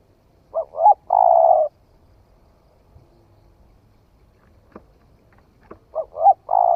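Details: Spotted dove, newly calling, tried out in forest in Vietnam: a double coo leading into a long rolling note, a pause with a few sharp taps, then the phrase starts again.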